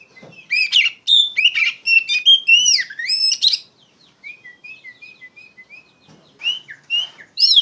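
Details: Loud ngeplong-style Oriental magpie-robin song meant as a tutor for untrained birds: rich, fast medley of sweeping whistles and harsh notes, then a softer string of brief repeated whistles before renewed loud phrases.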